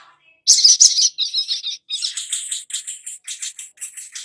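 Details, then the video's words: Long-billed spiderhunter lure recording meant to make young wild-caught birds sing and chatter. A loud, continuous stream of high, rapid chattering notes comes in quick pulsing bursts, about three per second, with no pauses. "Pancingan SOGON BAKALAN agar Cepat BUNYI dan GACOR || Pancingan Sogok Ontong agar NGOBRA"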